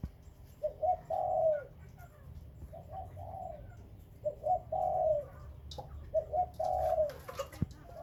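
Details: Spotted doves kept as breeding birds, Khmer and Malay types, giving a soft low cooing phrase of short notes and a longer drawn coo, repeated about every two seconds, with faint background hum.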